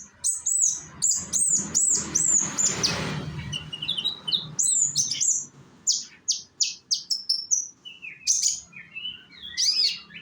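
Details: Young sunbird singing as a lure to make other sunbirds sing along, recorded in Indonesia: high thin twittering notes and short sweeping phrases, with a brief noisy burst near three seconds.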